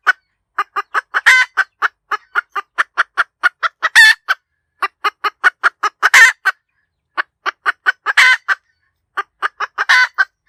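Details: Hen cackling at length: steady runs of short staccato clucks broken every two seconds or so by a drawn-out, rasping squawk, the pattern repeating over and over.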